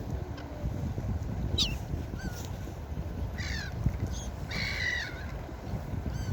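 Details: Gulls at the beach give sharp, nasal, falling cries, with one brief cluster of quick, stacked yelps near the end, all above a steady rumble of waves.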